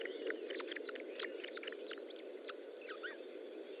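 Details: Osprey at its nest during feeding, 25 June 2012 at 10:58: scattered short sharp chirps, with a few slurred rising-falling whistles near the end, over a steady low hiss of background noise.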